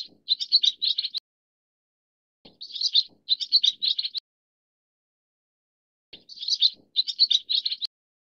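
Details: Pacific swallow, a leucistic individual, giving bursts of rapid, scratchy twittering chirps around a mid-high pitch, grouped in clusters of three to four notes lasting about a second each, separated by silent pauses.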